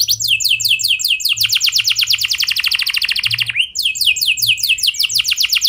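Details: Canary's clear, rolling song to encourage other canaries to sing; fast series of rising sweeping notes in continuous trills, a brief downward slide, then more quick trills.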